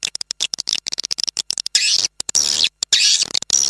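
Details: Lure sound for attracting swiftlets, the Manuk Ireng 01 recording: a fast series of dry clicking ticks gives way to longer bursts of high, buzzy twittering with thin whistled notes, broken by brief gaps.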